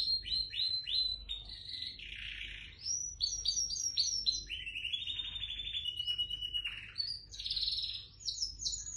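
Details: A home-bred white canary sings a long, fast, varied song of high rolling trills and chopped repeated notes, shifting between runs with barely a pause; nothing else is heard.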